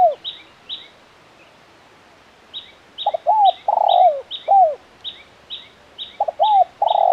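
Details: Lively, crisp KUK 1 spotted dove: a fading coo, a pause, then a full phrase of short paired notes, a long coo and a falling note, and the start of another, with a small bird chirping rhythmically high above.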